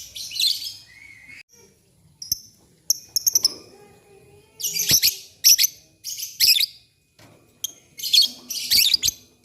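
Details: Morning lovebird song with birds answering each other. Bursts of shrill, scratchy chatter and short squeaks come in quick runs separated by brief pauses, with a faint steady high tone behind.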